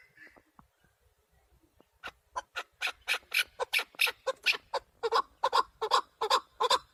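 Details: Partridge male calling for hunters: faint scattered ticks, then a quickening train of loud, gravelly chuk notes building into a steady rhythmic chatter.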